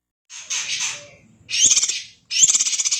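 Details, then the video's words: Greater green leafbird in full, dense kacer-style song. Three harsh, buzzy, rapidly stuttering bursts follow each other with brief gaps. "Burung Cucak Ijo Gacor Suara rapet - cucak hijau Gacor rasa kacer"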